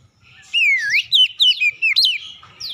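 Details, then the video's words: Magpie-robin lure song for provoking other magpie-robins to sing: a loud, clear whistled phrase dipping then rising, followed by several quick slurred notes in short bursts, bright and ringing. "DALAM HITUNGAN DETIK KACER LAIN LANGSUNG RESPON GACOR SEKALI PANCING"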